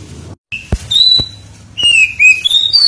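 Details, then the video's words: Lure recording of oriental magpie-robin song used to draw out singing: a few sparse, clear whistled notes, some level and some sliding, separated by sharp clicks and a quiet low hum. "Pancingan Suara Burung Kacer"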